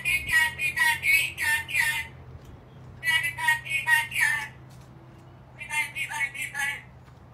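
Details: An angry black-capped lory gives bursts of loud, harsh, rasping screeches, each burst five or six notes in quick succession, in three bouts separated by short pauses, indoors with a low hum behind.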